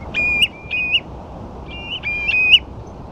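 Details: Common ringed plovers on the sandflats at Ferrybridge, Portland, with a few Dunlin: soft, mellow whistled notes rising slightly at the end, about four calls in three seconds over faint low background noise.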